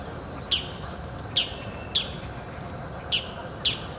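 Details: Territorial calls of a bull-headed shrike: five loud, harsh, piercing notes, each ending in a falling trail, delivered at uneven intervals of under a second, over a low, steady background hum.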